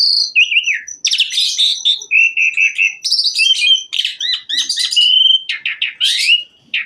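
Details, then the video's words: Energetic Asian pied myna song packed with varied filler phrases, meant to get other mynas singing: sliding whistles, level piping notes, and dense buzzy and chattering bursts in quick succession. "Kicau Jalak Suren Gacor FULL ISIAN MEWAH Jadikan Jalak Suren Lain Ikut Gacor"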